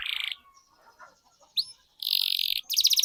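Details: Canary lure song intended to set other canaries singing with long rolls: a short buzzy trill, faint low background sounds, a single upswept note, then two loud dense trills in quick succession.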